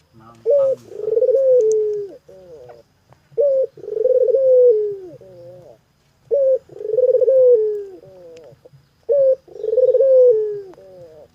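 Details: Barbary dove calling vigorously: each phrase opens with a short, clipped note, then a long rolling coo that trembles and slides downward, ending in fainter falling tails. Four phrases about three seconds apart in a quiet room.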